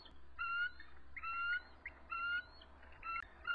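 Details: Two resident eagles at their nest on the evening of March 23, 2014, around 7:44 pm, visibly stressed, lowering their bodies in defence and calling as an adult intruder approaches. Short, thin, steady whistled notes repeat about once per second over a low background hum.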